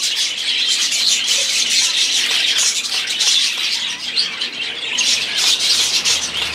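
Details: Budgerigars chattering together, dense high warbles and chirps mixed with harsher squawks, steady throughout.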